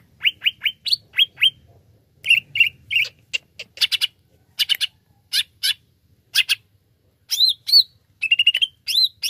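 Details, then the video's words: Greater green leafbird lure song meant to get other birds singing: rapid sharp chirps and whistled notes, some rising and some falling, delivered in quick bursts with short pauses throughout, over a quiet background. "PANCINGAN CUCAK IJO GACOR Greater Green Leafbird"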